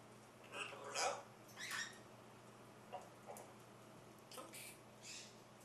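A macaw gives a few short, harsh, grating squawks and mutters in scattered bursts over a low steady electrical hum.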